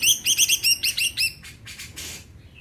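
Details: Greater green leafbird in full song, meant to spur other birds to sing. Quick run of bright, arched, whistled notes repeated about every 0.2 seconds, then softer rustling bursts.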